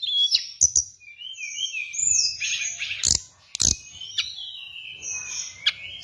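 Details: Hill blue flycatcher song used to lure and train birds: sweet sliding whistles and warbled phrases, interrupted by a few loud sharp clicks.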